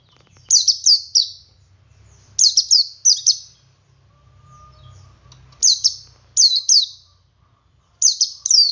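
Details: Male Oriental white-eye in ngalas song, luring other white-eyes to sing along: a run of short phrases, each two to three bright, descending tweets, repeating roughly every second with brief gaps.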